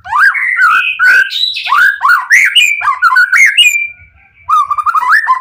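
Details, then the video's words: White-rumped shama in full excitement singing as bait for other shamas: continuous loud, fluty, swooping whistles with some harsh notes, a short lull, then a steady run of rising warbled notes. "pancingan murai lain bakalan nyautt"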